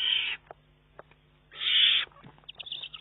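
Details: Juvenile Eurasian eagle-owl begging food from its mother on 19 June 2011, able to feed itself yet snatching prey from her beak; two harsh hissing screeches, the second longer, with faint clicks between.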